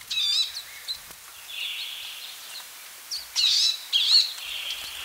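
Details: Palestine sunbird giving a short twittered phrase, a soft buzzy note, then two loud, high chirping bursts after a pause.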